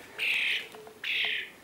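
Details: A hungry rescued European starling fledgling gives two harsh, raspy, drawn-out begging screeches, each about half a second long and spaced under a second apart, while being taught to feed itself.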